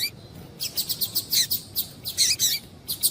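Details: A female Double-collared Seedeater gives quick, thin, high chirps, about five a second, in short bursts with brief pauses, a female call used to stimulate a male to sing. No other sounds stand out.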